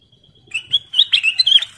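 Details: Kutilang emas bulbul in clear, lively song used to draw other birds into singing: a faint thin whistle swells into a rapid string of bright, warbling, up-and-down notes.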